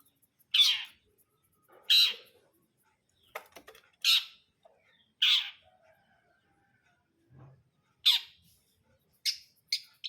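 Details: Long-tailed shrike, called cendet brundol, repeats coarse, scratchy squawks at uneven intervals. Softer clicks and a brief low thump sound in the gaps, and sharper, thinner notes close the sequence.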